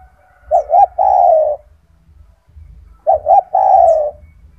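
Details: Gacor tekukur, or spotted dove, a kept bird noted for its loud, strong voice, used to train other doves: two deep cooing phrases, each a short double note followed by a drawn-out falling coo, three seconds apart.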